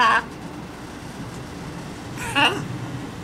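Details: A talkative female blue-and-gold macaw, outdoors in her rooftop aviary on an August day, gives two brief, speech-like harsh utterances about two seconds apart over a steady low background hum.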